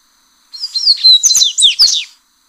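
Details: Original song of a yellow-bellied seedeater for training a caged bird: a brief, rapid run of bright whistles and steeply falling chips that rises to a twisting note near the end, with nothing else audible.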